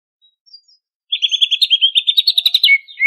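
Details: Greater green leafbird from Banyuwangi singing energetically with a full repertoire: after near silence, a rapid series of clear, rolling chip notes at a steady mid-high pitch, about a dozen in quick succession, ending on a downward slurred whistle.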